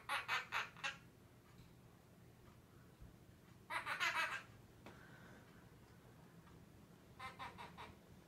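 A Quaker parrot gives three bursts of quick, chuckling notes that sound like human laughter.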